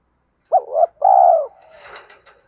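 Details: Spotted dove coo used for luring other doves: a doubled low hoot running into a long smooth falling coo, followed by a brief rustling noise.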